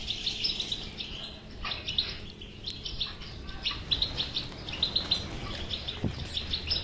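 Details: Goldfinch batbata song meant to get a silent goldfinch singing. Rapid liquid twitters and tinkling chips run without pause, rising in intensity toward the end, with a faint low hum beneath.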